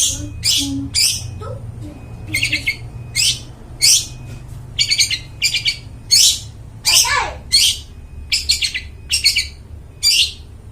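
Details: Long-tailed shrike in lively clear song for attracting wild forest birds: loud harsh chirps grouped in short bursts roughly every second, some with a falling squeal, against a quiet low hum.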